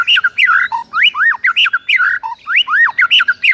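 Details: Morning training song of a white-rumped shama meant to provoke rival birds: loud, rich, fast phrases of arched whistled notes and sharp chips, each phrase varied, with brief lower whistles between bursts, heard close with little background.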